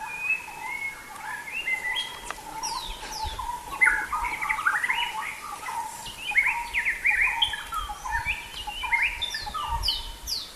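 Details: Sumatran white-rumped shama in full natural song: rich, varied phrases of rapid whistles, chirps and sweeping notes, some dropping sharply from high to low, delivered almost continuously over a low steady hum.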